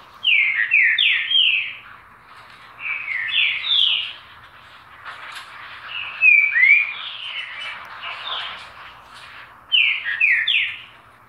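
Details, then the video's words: Green-winged saltator singing: four loud phrases of three to four slurred, descending whistled notes, each phrase about a second long, separated by short pauses, over a steady hiss of background noise. "Trinca-Ferro Lindo Canto!!!"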